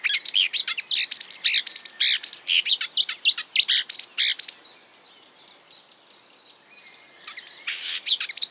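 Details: Loud, fast marsh warbler song made of borrowed bird phrases: chirps and falling sweeps pour out for about four seconds, then the singing turns faint and sparse before a few louder notes return.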